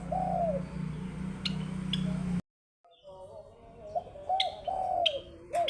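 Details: Java sparrow (Padda oryzivora), song.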